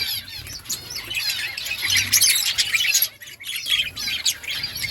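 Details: Chirping budgerigars in an outdoor colony, a continuous bright chatter of wavering whistles and clipped chirps, a brief lull about three seconds in, then busy chatter resumes.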